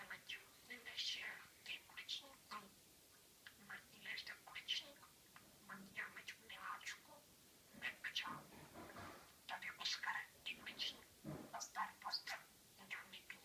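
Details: A one-year-old pet budgerigar chatters in a rapid, raspy, high voice, mimicking learned Czech phrases such as "my tummy hurts" and "it's raining outside".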